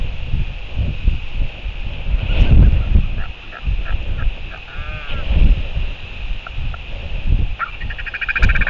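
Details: Royal albatross chick being fed in New Zealand on 25 February 2023. Short harmonic calls come in scattered bursts, including a quick wavering sweep midway and a cluster of higher notes near the end. Heavy wind rumble runs throughout.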